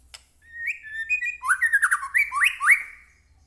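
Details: White-rumped shama whistling a flowing, fast phrase of slurred notes climbing and dropping in steps, about three seconds long, over a faint low hum. Used as a lure to make captive birds sing.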